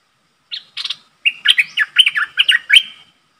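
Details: Decoy streak-eared bulbul calling to draw a wild flock: two short opening chirps, then a long, rapid string of bubbly, rising and falling notes lasting nearly two seconds.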